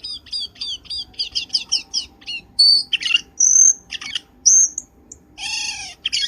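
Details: Black-winged starling lure call for trapping birds: a fast series of short chipping notes, then loud high whistles, harsh squawks and a buzzy nasal chatter at the end.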